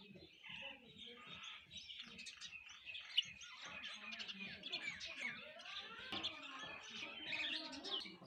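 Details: Sparrows chirping while eating food near a home: dense, continuous twittering of many small birds, quick bright chirps overlapping throughout, with faint low thumps beneath.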